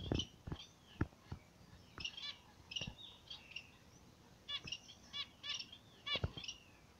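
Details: Captive pair of zebra finches in morning sun: quiet, nasal, buzzy harmonic notes given in quick repeated bursts and short phrases, with sharp clicks and taps in between.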